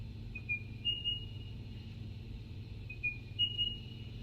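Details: A Spotted Pardalote, also called the Diamond Bird, gives soft, high, whistled notes in two brief phrases about two and a half seconds apart, over a steady low hum.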